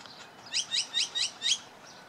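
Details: Canada goose goslings about four hours old at Jess Ranch Lakes Park, Apple Valley, California, giving five high, upward-sweeping peeps in quick succession, about four per second, then falling quiet against soft background hiss.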